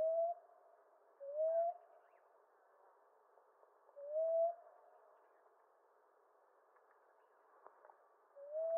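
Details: Common ground dove (Columbina passerina) calling with four low rising coos at uneven intervals of one to three seconds, separated by quiet pauses with faint clicks.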